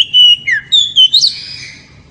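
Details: Oriental magpie-robin, loud ngeriwik song to excite the female: five or six clear fluted whistles in quick succession, some dropping, some rising, ending in a fading buzzy trill.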